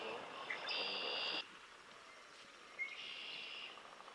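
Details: A wild Red-winged Blackbird in Quebec, summer 2023, gives two conk-la-ree songs, each a brief opening note and then a harsh, buzzy trill, about two seconds apart, over soft background noise.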